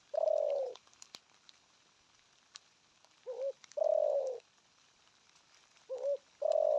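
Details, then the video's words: Spotted dove cooing in a repeating pattern. A long, low, slightly falling coo is followed after a pause by a short two-part note leading into another drawn-out coo. Phrases come every two to three seconds. "Thổ âm cực phê! thuc gù thúc kèm bài bản"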